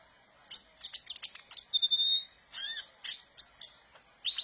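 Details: Kolibri ninja sunbird, a song used to lure and train young birds: rapid, high, sharp chirps and trills with a brief sustained thin whistle in the middle, on a quiet background.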